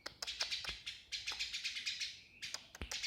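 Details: Burung gereja, the Eurasian tree sparrow, heard as short bursts of rapid, thin chirping chatter mixed with several sharp tapping clicks.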